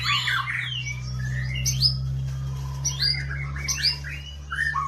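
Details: Oriental magpie-robin singing varied whistled and warbled phrases, some rising, some falling, in irregular bursts, over a loud steady low hum.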